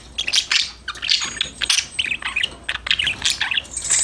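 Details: Happy budgies singing and talking to each other, a dense, fast chatter of high chirps, squeaks and warbled notes crowding over one another without pause.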